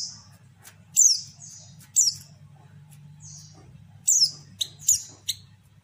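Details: Female white-eye lure calls: high sharp downslurred chirps, some paired, with softer thin notes between, irregularly spaced over a constant low hum.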